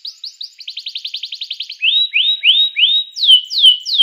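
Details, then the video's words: Canary song for prompting other canaries to sing: quick chips speeding into a rapid trill, then slower, fuller whistles that swoop up and glide down, repeated about three times a second. "suara kenari ini 99% jitu sekali membuat kenari lawan gacor"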